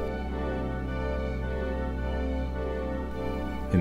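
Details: Slow, sustained orchestral music with low strings and no animal sounds.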